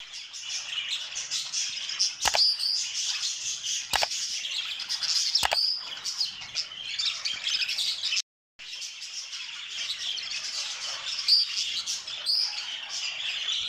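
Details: An exhibition budgerigar cock in a breeding cage warbles in a continuous stream of chattering, twittering notes.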